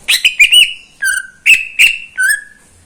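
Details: Caged greater green leafbird, a neighbour's pet, singing in the morning: loud whistled notes with a sharp click at each onset, alternating between higher and lower level tones, about seven phrases in under three seconds.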